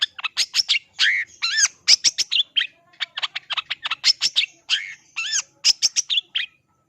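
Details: Long-tailed shrike in energetic, continuous song, a rapid jumble of harsh scratchy notes mixed with clear rising and falling whistles, delivered in tight clusters with barely a pause over seven seconds.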